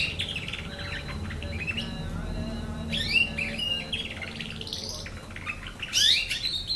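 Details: Nine-month-old canary practising its song: continuous high chattering twitter with quick trilled notes and sharper rising chirps near the end, a low steady hum and room noise beneath.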